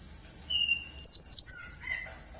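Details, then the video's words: Red mantenan bird: a short clear whistled note, then a burst of high trilled chatter and lower whistles, set against a constant thin high tone. "Burung Mantenan Merah Super Gacor"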